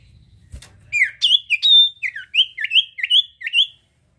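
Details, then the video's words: Sirtu bird in lively song, used as a lure to draw flocking birds: a quick run of about eight bright whistled, slurred chirps, each dipping then rising, repeated roughly every quarter second, after a brief low knock at the start. "sirtu gacor cocok buat pancing bunyi burung ombyokan"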